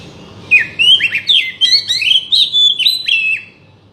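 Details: Oriental magpie-robin song used to bait a silent bird into singing: about three seconds of lively, varied whistled notes with upward slurs and harsher chattering elements, over low background hum.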